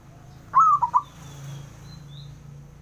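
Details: Male zebra dove calling to provoke rivals into answering: one soft, trilled cooing phrase of three quick, mid-pitched notes, followed by low background hum and faint distant chirps.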